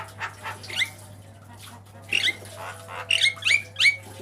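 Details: Black-winged myna (white-eyed jalak kebo) used as a master recording for training cage birds, giving harsh, squawky notes and short scratchy phrases with upward whistled tails, set against a steady low hum.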